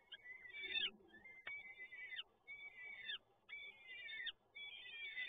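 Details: Peregrine falcon young begging while being fed, Toruń, Poland, 30 April 2022: repeated rasping, wavering cries that dip at the end, separated by brief pauses, plus one sharp click.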